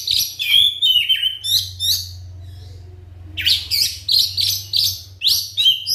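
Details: Song of a white-rumped shama used to coax other shamas into singing: a run of fluty whistles and quick chirps, a quieter stretch over a steady low hum, then repeated sharp whistled notes about three times a second.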